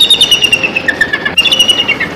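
A bald eagle gives a series of thin, high chirping notes, weak and twittery rather than fierce.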